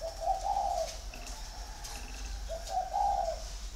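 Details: Six-year caged male spotted dove with a big 'giọng thổ' voice, kept in Ba Vì, Vietnam. It gives two mellow, low cooing phrases, each rising then falling slightly, separated by a pause of about two seconds.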